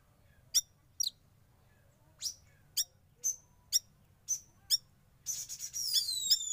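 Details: Young oriental magpie-robin, a kept bird given sauna therapy, gives sharp, high chirps about every half second, ending in a quick, busier burst of scratchy twittering notes.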